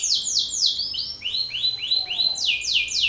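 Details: Belgian canary male singing loudly in a rival male's face: steady repeated falling whistled syllables, about four per second, with a brief pause and faster high sweeping notes at the end.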